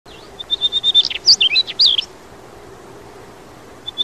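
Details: Daurian redstart in Yeoncheon on the day its young left the nest: a run of about eight even, high whistled notes, then a quick jumble of twisting, scratchy chirps, ending after two seconds; a faint low hum below.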